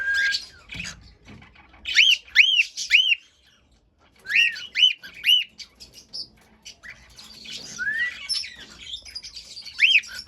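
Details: Cockatiel singing as a pet: groups of three arched whistled notes repeated twice, then quieter chirps and a rising whistle, with a silent gap midway.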